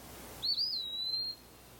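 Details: Male Eastern Wood-Pewee singing in summer woods in Wisconsin: one clear, slurred whistled pee-wee, rising then gently falling and drawn out, against faint woodland background.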